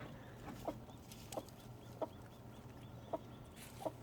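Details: Chicks peeping indoors beside their mother hen before being moved to a new home; short, soft, high peeps spaced about a second apart over a low background hum.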